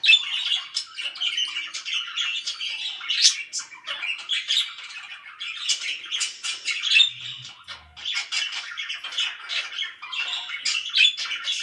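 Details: A long stretch of very loud chirping from pet budgerigars, with rapid squawks, buzzy warbles and high chirps tumbling together continuously.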